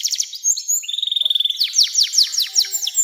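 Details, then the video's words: Canary in long 'nembak' song, meant to coax young canaries into singing: brisk rattling trill of fast repeated notes, then a run of sweeping downward slurs, all high and bright, about 150 notes a minute. "SUARA KENARI NEMBAK PANJANG‼️cocok buat pancingan kenari muda dan masteran burung"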